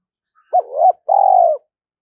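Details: Decoy spotted dove calling to lure wild birds to fight, a single phrase: a coo that rises into a second note, then a long buzzy trill falling gently at the end.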